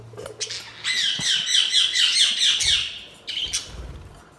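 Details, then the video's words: Budgerigars chirping: a dense, fast warbling chatter of bright, rapidly wavering notes runs unbroken for about two seconds, then breaks into a few separate sharp chirps, with a faint low hum underneath. "Budgies Chirping sound"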